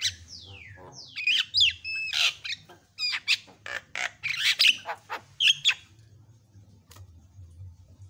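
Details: Varied, lively song of a black-winged starling, recorded to tutor other birds: a long descending whistle, then loud rasping bursts, bright chirps and squawks, tapering off to quiet after about six seconds over a steady low hum.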